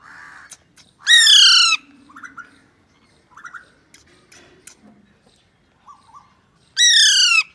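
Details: Pet Alexandrine parakeet playing with a mobile phone: two loud harsh downward-slurred squawks about six seconds apart, with soft chattering, clicks and short murmured talk-like notes between them.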